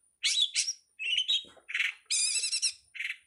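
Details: Varied long-tailed shrike song from a training master recording: harsh bursts, a whistled slur, a dense buzzy rattle and soft rounded notes follow one another in quick, irregular succession.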